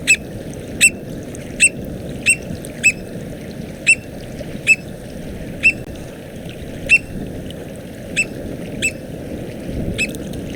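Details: American Oystercatcher, northwest Mexico population, possibly subspecies frazari. Gives a typical call of one clipped, high, piercing note, repeated at uneven intervals of about half a second to a second, over a constant low rumbling background.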